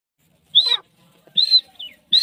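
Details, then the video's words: Grey francolin (teetar) call fragment: three short, clear whistled notes, the middle one trailing into a quick descending slur, separated by quiet gaps. "Teetar Awaz | Teetar Voice | Gray Francoline Teetar Sound | Beautiful Teetar Voice"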